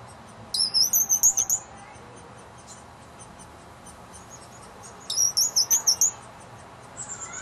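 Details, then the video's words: Young woodpecker begging while being fed at a patio bird house. Two bursts of shrill, high, rapidly repeated squeaks come about four seconds apart, each bunching six or seven notes within a second, with a fainter series at the end. "woodpecker being fed"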